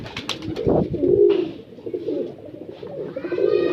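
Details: Breeder pigeons cooing indoors: low, throaty rolling coos, with clicks and rustling early on and faint higher chirps near the end.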